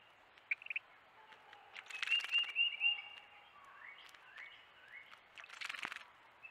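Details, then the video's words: At a bird bath, wrens give rapid high chip notes in a short run, mixed with splashing from bathing and soft, lower slurred chirps from nearby birds. "Wrens at the bird bath. A few are pretty vocal!"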